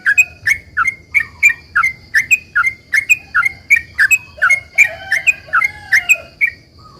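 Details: Sooty-headed bulbul in lively 'ropel panjang' long rapid song, used as a lure to get other bulbuls to reply: quick chirping notes, about three per second, slurring around mid pitch, over a steady high whine and a low rumble.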